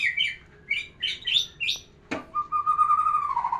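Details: White-rumped shama song used to stir a female's breeding urge: quick bursts of bright, high whistled chirps, a sharp click, then a long steady whistle that drifts slowly lower.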